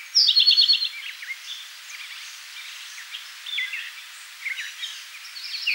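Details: An Eastern towhee at Rondeau Park in June gives one loud, fast, ringing trill of about seven notes at the start. Fainter chirps and twitters from other birds follow.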